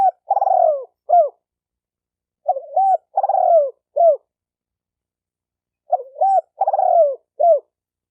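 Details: Spotted dove cooing to train a newly caught dove, three phrases: a short coo, an arched looped coo, a long burred falling note and a last rounded coo, separated by short silences.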